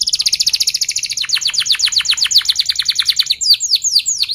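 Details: Tight rolling canary trill for tutoring young canaries: a very fast, steady series of bright pulsed notes lasting over a second, then rhythmic falling strokes and a few slurred whistles.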